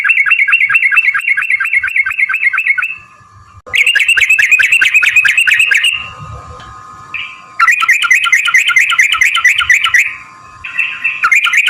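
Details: Trucukan, or jogjog, singing long rolling phrases, used as a lure to make other birds answer: fast bubbling chatter of repeated liquid notes in bursts of two to three seconds, broken by brief pauses with a steady background tone.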